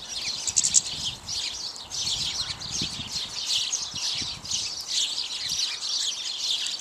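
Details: Several house sparrows, mostly males with at least one female, feeding on bird seed chirp continuously in a busy, overlapping chorus of short, bright cheeps with no pauses and a soft background rumble.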